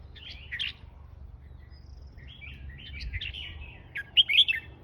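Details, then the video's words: Red-whiskered bulbul, a fancy song style, giving bright warbled chirpy phrases in short bursts with pauses, the loudest phrase at the end. "เสียงนกกรงหัวจุก เสียงนกกรงหัวจุกแฟนซี"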